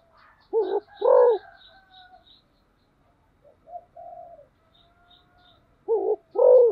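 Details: A spotted dove used as a decoy calls twice. Each call is a pair of deep coos, clipped then drawn-out, separated by soft low notes and near silence, with faint high ticks early on.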